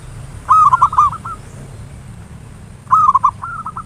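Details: Zebra dove lure song, ngayer nulop style, meant to rouse other doves: two rich, rolling trilled coo phrases about two and a half seconds apart, each ending in softer drawn notes, with a thin steady high-pitched tone.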